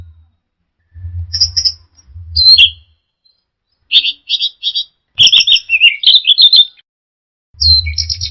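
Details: Orange-headed thrush in teler song, giving spaced bursts of high sharp notes, then a rapid chattering run of twisting whistles and buzzes near the end, accompanied by dull low thuds.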